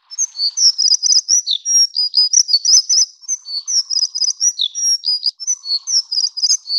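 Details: Plumbeous redstart of the Taiwan endemic subspecies Rhyacornis fuliginosa affinis, a bird of mid and low elevation streams; a long rapid run of high thin squeaky notes and short twittering phrases, packed closely with barely a pause, no other sounds.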